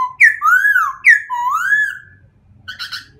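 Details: Smooth rising-and-falling whistled slurs from a white-crested laughingthrush, two long arching phrases each opening with a sharp high note, then a brief rough chatter at the end.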